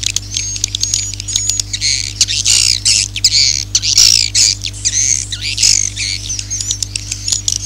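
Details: Swiftlet population-calling and roosting sounds, used to lure swiftlets into a swiftlet house: dense, high, buzzy twitters with quick squeaky notes, almost without pause, over a steady low electrical hum.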